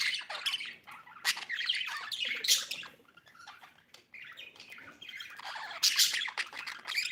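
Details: Budgerigar chirping in a dense, scratchy warble of rapid chirps and harsh squawks, with bright bursts near 2.5 and 6 seconds and a brief quieter pause around 4 seconds.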